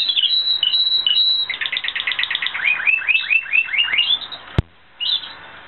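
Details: Spanish Timbrado canary in training delivers a rolling song: a quick trill, then a run of rising and falling looped notes, ending after a sharp click and a brief pause with a final chirp.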